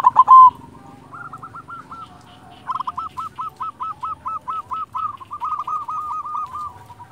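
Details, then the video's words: Silver zebra dove of local stock in active song: a brief loud opening, then long, steady runs of short, identical hooked coos, roughly three to four per second, with soft background murmur. "Perkutut silver gacor"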